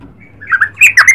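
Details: Yellow-vented bulbul, a kept bird, giving a short harsh squawky call of two rough middle notes followed by two louder, higher strident notes, over a low background hum.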